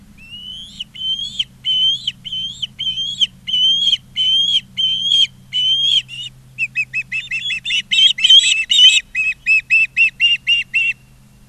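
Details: Nesting Ospreys in Charlo, Montana, 20 August 2023, around four in the afternoon: a slow series of upslurred whistles roughly twice per second, then shifting into faster, shorter clipped chirps, with a low steady hum throughout.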